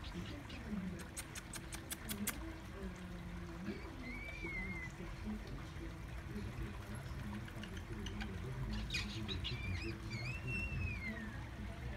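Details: Two-year-old pet galah (Eolophus roseicapilla), adopted only four days earlier, imitates "bisous coco" and "coco bisous" with its owners' intonation plus kissing sounds. Low speech-like phrases, whistled rising-falling notes and sharp clicks over a steady hum.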